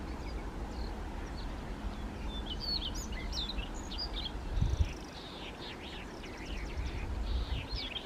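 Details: Siberian rubythroat, Kushiro, 3 July 2019, filmed handheld; fainter, busy warbled song of quick high notes and downslurred whistles, strongest in the second half, over loud low background rumble and a knock midway.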